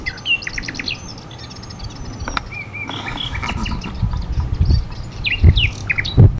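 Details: Common nightingale singing in a forest in Sithonia, Greece, on 22 April 2018 in spring: varied phrases of clear whistles, a long high held note, rapid clicking notes and slurred upward sweeps, with low rumbling background noise.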